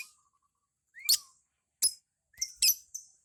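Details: Beginner-level ngekek lovebird giving scattered scratchy high chirps with brief upslurred squeaks before them, separated by short silences.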